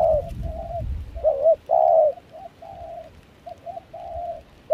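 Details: Spotted dove kept as a luring decoy in Kon Tum, Vietnam, cooing in cold wind and rain; foreign-mixed voice. Clear, hollow coos in an uneven phrase, some notes louder and stretched, faint low rumble behind.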